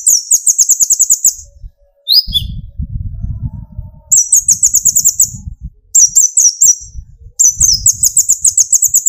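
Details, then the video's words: Olive-backed sunbird (kolibri ninja), young to fully metallic, singing to provoke other birds: repeated bursts of very fast, high, buzzy trills, with a short dropping chirp and low rustling and rumbling between phrases. "burung konin gacor pancing tembakan konin dari yang trotol sampai full metalik nembak emosi"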